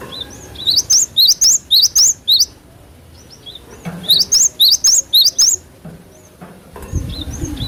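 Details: A cinereous tit sings, a natural recording used as a lure to get cage birds responding; two phrases of about six shrill, rising-falling whistled notes each, with faint thin calls between.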